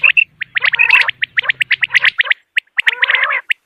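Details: Common quail calling in the morning, a rapid run of sharp, liquid notes, clustered and stuttering, with a low hum beneath the first half; a 2025 recording offered as a hunting call.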